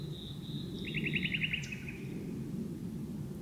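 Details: Common nightingale singing deep inside birch bushes at dusk: a long level whistle, then a fast series of about eight sharp repeated notes and a trailing buzzy note, over a steady low rumbling background.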